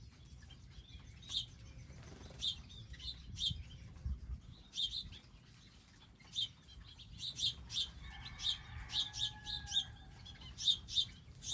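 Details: Garden birds at a designed feeding spot with feeders, seeds and water chirp repeatedly, brief high notes growing busier toward the end, with a faint steady mechanical tone behind.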